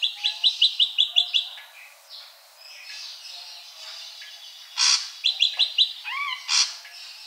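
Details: Ashy drongo song made of quick repeated chirped notes, a pause with faint thin whistles, then harsh bursts mixed with more chirps and a rising slurred whistle.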